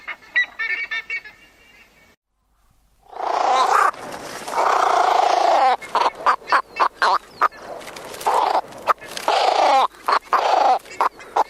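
Sacred ibis giving harsh, hoarse croaks and grunts in quick, uneven bursts.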